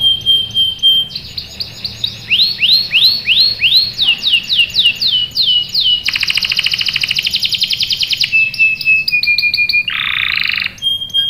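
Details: Extended canary song used as a lure for young birds. It runs from a thin whistle through repeated down-slurred notes and sharp chips into a long, fast buzzing roll, then trills and a harsh rattle.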